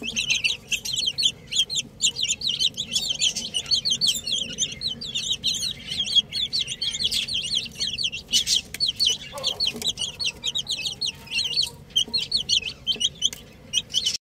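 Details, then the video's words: A crowd of baby chicks playing together, peeping continuously with high, thin, overlapping cheeps and no pauses, over a faint low hum. "Baby Chicks Chirping Sounds"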